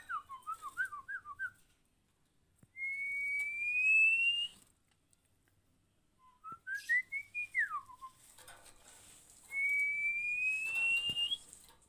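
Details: A female Oriental magpie-robin, played to train birds into frequent singing: rapid wavering whistled notes, two long clear upward-sliding whistles, and between them a run of rising notes ending in a downward slur, with faint clicks in the background.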